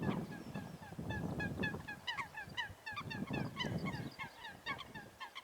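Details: Eurasian coots fighting on water give short nasal honking calls, repeated rapidly with uneven spacing through the whole stretch, over steady rushing and splashing water noise.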